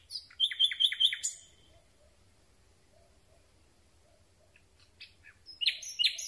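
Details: Common Nightingale recorded at night from very close: a run of four quick, repeated ringing notes ending in a harsh buzz, a pause with soft murmurs, then another fast ringing repetition.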